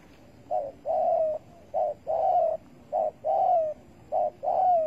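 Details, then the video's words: At a bare-bait trap for spotted dove, 15 August 2020, three evenly spaced phrases sound, each a short note followed by a longer, smooth, descending coo. "Bẫy cu gáy bằng mồi trần cực đỉnh"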